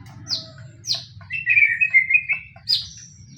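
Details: White-rumped shama lure song in the pastol fighting style, meant to make other shamas respond: two sharp high downslurred notes, then a loud rattling warble, ending with another high whistle, over a faint low hum.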